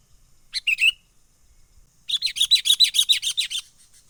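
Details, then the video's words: Sooty-headed bulbul from the wild, a lively 'menggaruda' style lure call for trapping birds: a short harsh burst, a pause, then a rapid run of about a dozen scratchy, chattering notes on one level. "SUARA pikat kutilang gacor asli alam liar"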